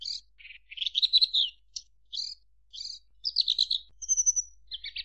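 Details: A Javan bush lark delivers scratchy warbled phrases separated by short gaps, including a thin sustained high whistle near the end before a final buzzy burst.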